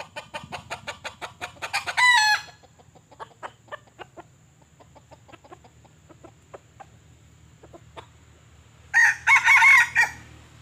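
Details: Junglefowl lure bird, young and inexperienced, used to catch semi-wild decoy chickens: two short, harsh crows, one near the start and one near the end, with scattered clucks and clicks between them.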